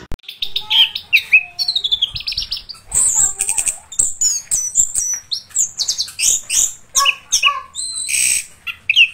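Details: Orange-headed thrush in full, continuous 'gacor ngeroll' rolling song: a rapid, varied stream of high whistles, sweeping slurs and buzzy trills, notes jumping between mid and very high pitches with barely a pause.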